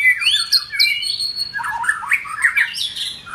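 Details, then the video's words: White-rumped shama during form building: opening with clear rising whistles and sharp high notes, then a lower run of quick warbled, twisting phrases. "White Rumped shama- form building"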